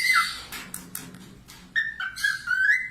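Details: Budgerigar tutor song for cockatiels: a whistle sliding down at the start, then soft scattered clicks and rustles, ending in a rising and falling whistled warble over faint low room hum.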